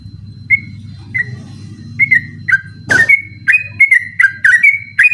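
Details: Sooty-headed bulbul at night, recording for tutoring other songbirds: spaced whistled notes that quicken into a steady run after a sharp noisy click, over a low background hum.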